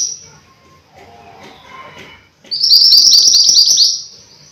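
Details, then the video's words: Mountain white-eye bursting into a fast series of high rising chirps after a quiet stretch of faint lower twitters. "Burung MANTENAN GUNUNG Gacor"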